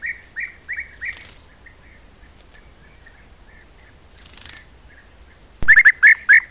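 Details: European bee-eaters from a colony of about 20 to 30 birds visiting an apiary at Corte Franca, captured by a trail camera; short rolled calls near the start, a quiet gap, then a quick burst of overlapping calls at the end.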